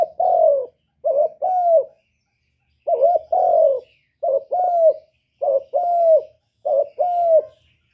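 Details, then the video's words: Spotted dove cooing, used as a lure for wild doves, one-note 'kuk' style: about six mellow phrases of a brief note then one or two longer hooting coos, delivered in quick succession with short silences between. "Burung derkuku master gacor kuk 1 suara mantap untuk pancingan"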